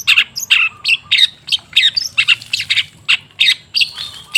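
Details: Long-tailed shrike singing, used as a lure to get stalled shrikes singing again: harsh, scratchy squawked notes, about two per second, mixed with short rising whistles, a soft low hum behind.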